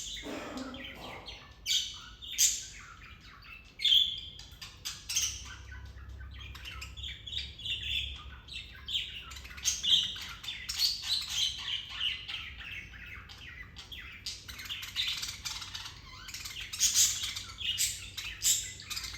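Budgerigars chirp and chatter in a busy, high-pitched stream of warbles and squeaks.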